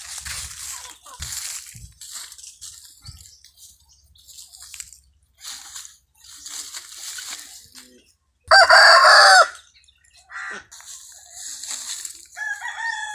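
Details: Rooster kept free range with other poultry on an organic farm lets out a single loud, bright crow partway through; before and after, only faint scattered clucks and soft bird calls.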